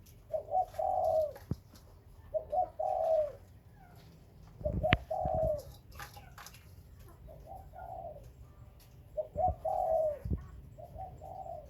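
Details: Spotted dove, captive breeding birds described as Khmer and Malay doves, giving soft low cooing phrases: two short notes then a longer rolling coo, repeated every two to three seconds, with sharp knocks and clicks mid-clip.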